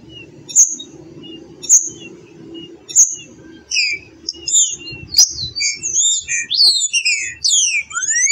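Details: Three sharp, high chip notes spaced about a second apart from a green-winged saltator lead into a fast, tumbling series of whistled slurs and twisting notes, with low background noise.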